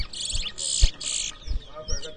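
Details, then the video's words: Towa towa in a 2023 whistling competition at New Amsterdam, Berbice, Guyana, giving three harsh buzzy bursts followed by a short whistled slur, over low knocks and background murmur. "TOWA TOWA BIRD WHISTLING COMPETITION"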